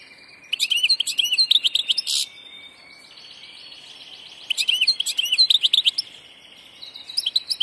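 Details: European goldfinch, described as a passage bird, singing two bursts of rapid, tinkling twitters with a buzzy note, linked by a thin sustained tone.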